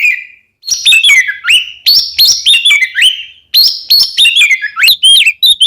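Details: Oriental magpie-robin song of the 'kembar ngeplong' type, played to make other birds sing: crisp whistled notes stepping up and down in quick series, sharp chirps between, with a pause mid-song.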